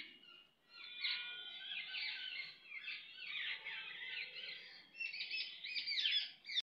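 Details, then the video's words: Young bird begging its mother for food: a continuous stream of high, thin chirps and twittering notes, rising in bursts and fading briefly between them, with no other clear sounds. "Child bird 🐦 asked his mother for food"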